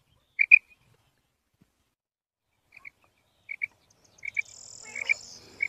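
A female quail gives soft, high double notes, a quick 'pit-pit' repeated about every second, with a brief rustling hiss near the end.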